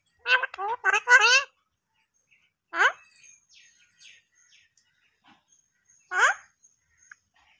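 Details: A pet parrot talking: three quick bursts of harmonic, speech-like syllables, then two short separate phrases with quiet pauses between, in a quiet room.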